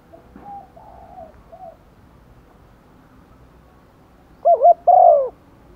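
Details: Female spotted dove calling to attract males in the rainy season; faint soft coos early, then two loud, close, hoarse cooing notes near the end, the second longer and drawn out, over a low hum.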